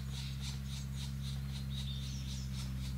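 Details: Black woodpecker, a mother with three chicks, in the Danube Delta, Romania, in June 2018: high, raspy notes repeated about four times a second, faint against a steady low hum.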